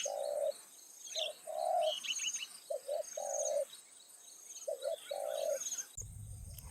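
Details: Decoy spotted dove calling in the evening to draw in wild doves; repeated low cooing notes, some drawn out, others doubled, with faint higher chirps of other birds, ending in a low rumble.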